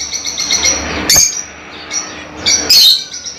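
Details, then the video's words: Pet lovebirds, small African parrots, giving two loud shrill chirp bursts about a second and a half apart over soft continuous high twittering and a low hum. "LoveBirds Sounds For 30 minutes"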